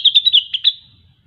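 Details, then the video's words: A short rapid burst from a grey-cheeked bulbul, known locally as cucak wilis, sung in gacor style: five or six high chattering whistled notes in quick succession, fading out. "Rengganis/Cucak Wilis Gacor"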